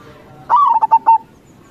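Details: Local zebra dove giving one crossing-style song phrase, used as a lure for local doves: a rising, slightly wavering coo followed by three quick pulsed notes and a held ending, clear against quiet.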